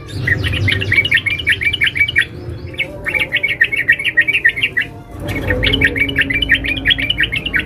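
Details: A female sooty-headed bulbul calls a male with three dense, fast chattering runs of sharp notes, each lasting a couple of seconds, over steady low background noise.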